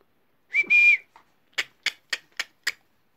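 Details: Talking Alexandrine parakeet kept as a pet, said to be bidding good night: one sustained steady whistle, then five crisp clicking bursts evenly spaced about a quarter second apart, a person calling softly around it.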